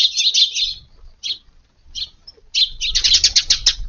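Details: Eurasian tree sparrows visiting a garden on a hot morning of 19 August, arriving at dawn, give bright, high chirps in quick bursts with short pauses between them, over a soft low rumble.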